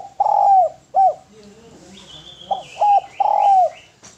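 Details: Spotted dove singing briskly for a clean, melodious training recording. Mellow cooing phrases open with a drawn falling coo and a brief note, then repeat as two short notes and a long descending coo, over a soft hum.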